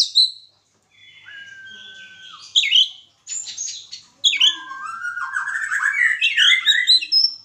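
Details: White-rumped shama singing during pairing for mating: long level whistles, rich warbled phrases with buzzy high notes, and a rising complex sequence, with brief pauses between phrases.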